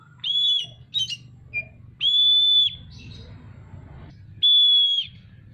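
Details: Oriental magpie-robin singing energetically with tail opened. Three long, even, pure whistles are interspersed with short chirps and a quick lower note, over a low background hum.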